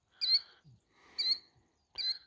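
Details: A Killdeer, upset by people and dogs close to its nest with eggs, gives three shrill, piercing alarm notes, each under half a second and less than a second apart, with faint low thumps between them.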